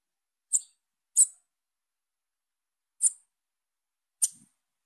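A young female bananaquit gives four sharp, high, thin chips, spaced irregularly about a second apart, over an otherwise silent background.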